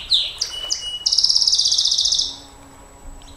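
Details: Canary song used for training and luring champion birds: three quick high slurred notes, then a rapid high rattling trill of about twenty pulses for over a second, fading to quiet with a faint low hum.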